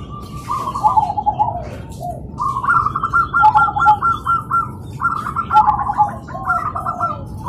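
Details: Several zebra doves singing and answering one another in the morning: dense, nearly continuous runs of fast rattling coo notes, phrases overlapping and tumbling one after another, with faint low background noise.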